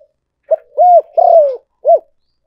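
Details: Spotted dove calling as a lure: one clear low phrase, a clipped note, a smooth arched coo, a drawn-out falling burred coo and a final short coo, in otherwise quiet surroundings.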